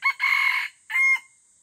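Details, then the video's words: Crow of a red junglefowl in the forest, loud and harsh: a brief opening note, a long raspy middle phrase, then a shorter clipped closing note, followed by quiet background hiss. "Ayam Hutan Rendeng di Hutan"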